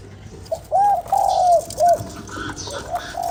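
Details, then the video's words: A spotted dove calls to stimulate a decoy: one loud phrase of a short note, a long gently falling coo and a clipped ending note, then quieter distant cooing. "Cu gáy kích bổi"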